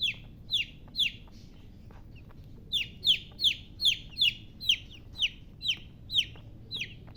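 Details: Chicks of the domestic chicken giving high, falling peeps, roughly sixteen in seven seconds, with a brief lull near the start before the chirping resumes steadily.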